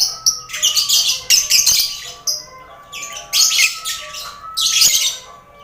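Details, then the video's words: Lovebirds in a lively colony cage with finches and quail, used to prepare contest birds; uneven rasping chatter bursts with short sharp notes in between, over a faint low hum. "Sound Koloni Lovebird"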